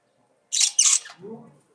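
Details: Short budgerigar utterance: two loud hissing, scratchy bursts quickly followed by a lower nasal warbled note.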